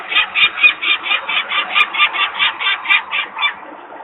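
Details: Peregrine falcon parent screaming near its nest at Włocławek, Poland, on 23 May 2022 in the afternoon while workers make noise nearby; harsh, rapid kek notes repeated about twice per second in an even series.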